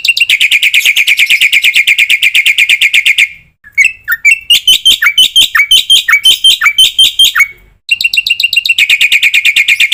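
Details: Black-winged myna song played to train other birds, packed with varied fills: a long run of rapid ringing chips, then a pause, a section of varied whistled and slurred notes, and a return to fast chipping.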